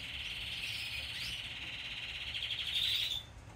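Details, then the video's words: Hand-fed yellow Isabel canary chick, one day old, begging for food. It gives a continuous thin, buzzy trill, steady in pitch and growing louder before stopping abruptly. "Hand Feeding 1 Day Old Yellow Isabel Canary Baby"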